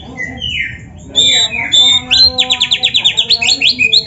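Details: Kept black-breasted Oriental magpie-robin singing a lively canary-imitating song meant as a lure for other birds: a long falling whistle, clear high notes, then a quick train of about a dozen rising chirps repeated steadily, with a soft low hum beneath.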